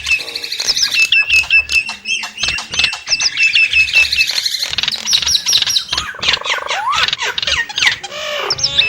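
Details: Nias hill myna pouring out rapid chattering whistles and rasping notes. A run of quick flicked notes comes first, followed by harsher bursts and a rising slurred whistle near the end.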